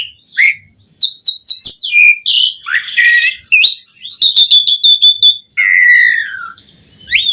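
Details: Asian pied starling singing profusely, used as master audio for training starlings: descending whistles, a harsh buzzy section, a rapid run of high clicking notes, then a long falling whistle and a short rising note.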